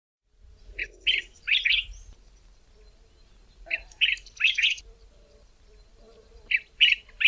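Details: Cape Bulbul singing in the southern Karoo, South Africa: short bubbly phrases of three or four quick, liquid whistled notes, repeated about every three seconds over a faint low background hum.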